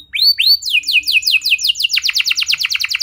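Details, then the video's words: Canary song meant to draw other canaries into singing: two rising whistled notes, then a run of falling slurred notes, then a rapid pulsing trill of repeated downward strokes. "Pancingan Burung Kenari Biar Gacor Lagi!"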